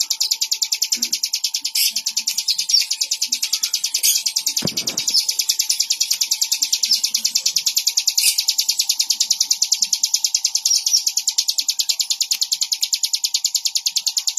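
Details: Long sustained chirping of a Bar-winged prinia (ciblek): high, quick, evenly repeated notes continuing for about fourteen seconds, broken once by a short knock, over a faint steady hum.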